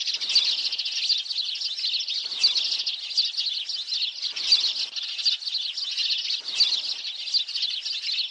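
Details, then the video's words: Sparrow calls used for trapping sparrows, a flocking bird: dense, busy high twittering chatter, swelling into brief louder bursts about every two seconds, without gaps. "BẨY CHIM SẺ - TIENG SE MR TRI - tiếng chim sẻ"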